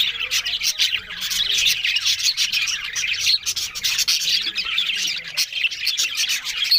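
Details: A group of budgerigars talking on October 1 keeps up an unbroken, loud warbling chatter of fast chirps and scratchy notes from many birds at once.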